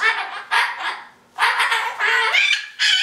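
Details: Goffin's cockatoo, a pet about five months old, playing and chattering: harsh, raspy screeching bursts of about half a second to a second, broken by short pauses, with a few thin whistled notes mixed in.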